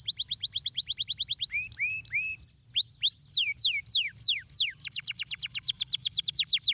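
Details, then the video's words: A canary sings a stimulating song: fast trains of high, downward-swept whistled notes, slower rising and falling phrases in the middle, then a quick bright rolling trill, all clear with faint low hum behind. "Muito poderoso para estimular o som! superando o chilrear dos canários preguiçosos"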